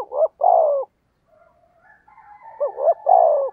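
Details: Spotted dove 'thúc gù' cooing to draw in wild doves: two low phrases of brief stuttered notes followed by a sustained falling coo, separated by a pause holding a faint thin whistle.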